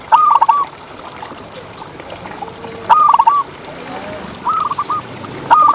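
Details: Contest-winning local zebra dove singing actively in the ngalas style, used to tutor quiet birds. Four mellow, broken cooing phrases arrive at uneven gaps of roughly one and a half to three seconds against a soft hissing background.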